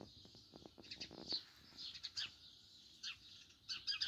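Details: House sparrow in the morning giving short, bright chirps in scattered bursts, some doubled, with sharp clicks and light rustling between calls.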